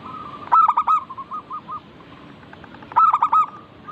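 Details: Local zebra dove song used to prompt doves to sing: two loud bursts of fast, throaty coos about two and a half seconds apart, each trailing into softer notes, with other doves cooing quietly behind.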